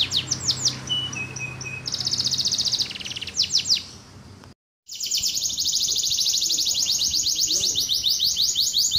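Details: Canary singing: fast runs of high downward-sweeping notes, a few steady whistled tones near the start, dense buzzy trills, a brief silent gap near the middle, then a long, even, rapidly repeated trill to the end.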